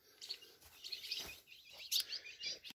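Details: A caged ultramarine grosbeak (azulão), singing at the side of its cage, gives a quick run of high, warbled chirps, brightest in a sharp burst near the end, over faint background hiss.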